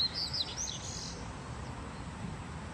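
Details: A pet Double-collared Seedeater, a male being warmed up for singing competitions, gives a quick burst of high, thin twittering notes for about a second, then falls quiet over a low background hum.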